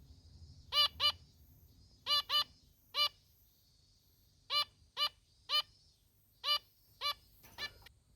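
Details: Female zebra finch kept at home, calling 'meh' and 'meh!' without pause: about a dozen short nasal honking notes, often in quick pairs, spaced roughly a second apart, over a soft room hum.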